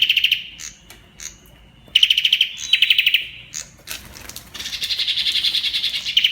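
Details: {'caption': "'Kalashnikov'-style song of an olive-backed tailorbird: short rattling volleys and sharp high notes, then a long, steady buzzy trill running to the end."}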